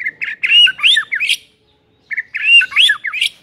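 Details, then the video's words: Murai batu, or white-rumped shama, provoking song for a lazy bird: a short jumbled phrase of harsh slurred notes, given twice with a brief silence between. "PANCINGAN EMOSI MURAI BATU PEMALAS MATERI PEDES TEMBAKAN RAPET"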